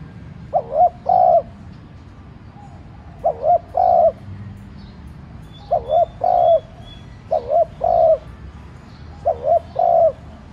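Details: Spotted dove decoy cooing to provoke other doves to call: five regular phrases, each two short low coos and a longer mellow one, roughly every two seconds, with faint high chirps.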